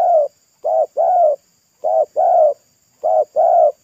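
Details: Spotted dove, a local roadside bird whose song is described as thick, loud and 'pesom'-like, sings steady rounds of a short coo followed by a longer, fuller coo, about three rounds in four seconds, with no other sounds.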